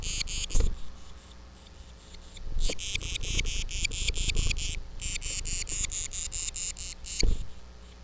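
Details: Agitated titmouse in a tantrum on a live feed, giving long rattling bursts of rasping, buzzy notes in quick succession, each burst several seconds long with brief gaps, over steady low-pitched background rumble and occasional thumps.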